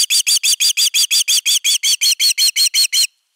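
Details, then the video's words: Osprey defending the nest, filmed by a nest camera on 31 August 2021: one unbroken volley of about fifteen loud, sharp whistled notes, close to three per second, ending abruptly. "Myy pesää puolustamassa"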